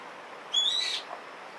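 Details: Eastern spot-billed duck duckling suddenly giving a 'pyui' call while flapping and jumping, filmed with a Nikon P950 superzoom camera: one thin, high whistled note, slightly rising, lasting about a third of a second and ending in a brief rough burst.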